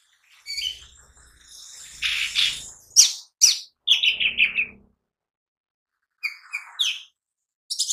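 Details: Lesser green leafbird (cucak ijo mini) gacor lure song: a rush of buzzy, harsh high notes, then a fast descending run of four clear chirps, a pause, and more short sharp chirps, with faint low thumps beneath.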